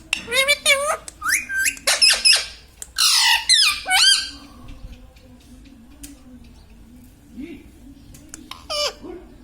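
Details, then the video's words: A pet Indian ringneck parakeet chatters indoors in a long string of shrill, buzzy, speech-like syllables for about four seconds, then falls mostly quiet before one last squeaky phrase. "Mitthu Mitthu Bolne Wala Batuni Tota - Talking Parrot"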